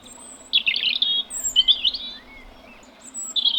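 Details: A tame European robin singing on heathland with gorse in the UK in spring: short, high, sweet warbled phrases with thin trills separated by brief pauses, with faint thin high notes in the background.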